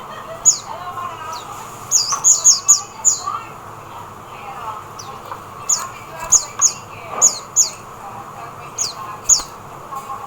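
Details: Oriental white-eye in the Philippines: thin, very high, downslurred chirps given singly and in quick clusters, separated by pauses, over a steady low background hum.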